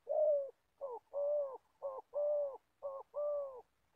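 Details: Spotted Dove decoy from Gia Lai, Vietnam, kept for trapping wild birds, sings a quick series of hollow coos. A short note precedes each longer, level, resonant one, three pairs in four seconds.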